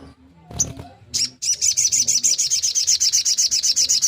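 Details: Long-tailed shrike, kept bird, song played to stimulate other shrikes to sing; after a few scattered notes, a rapid run of harsh high chattering notes repeated about four per second.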